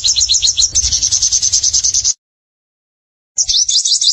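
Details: Vigorous high sunbird singing: a rapid stream of repeated sharp high notes for two seconds over low background rumble, silence, then a new burst of quick rising slurred notes.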